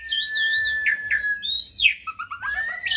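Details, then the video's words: Captive Asian pied starling delivering a varied song of wavering high whistles, short sharp notes and a rising slurred phrase, ending on a long steady whistle. "Jalak Suren GACOR"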